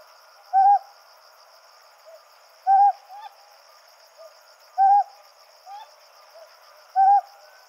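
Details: At night in the Yaeyama Islands, a male Ryukyu scops owl gives four brief, rough hoots at roughly two-second intervals while a female answers with quieter, higher notes between them; a steady high whine runs throughout.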